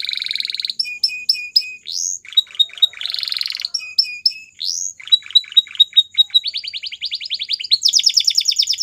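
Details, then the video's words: Belgian canary song played to train canaries to sing again: a clear, high trill opens, then rows of sharp repeated notes, rapid downward-sweeping rolls and a fast buzzy trill that climbs higher at the close. "Belgian Canary Song Makes Your Canary Singing Again"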